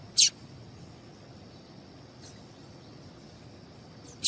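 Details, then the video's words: Female double-collared seedeater call, used to get males singing: two brief, sharp, high chips about four seconds apart, with a steady faint high hiss between them. "Piado de Fêmea de Coleiro para Esquentar Coleiro"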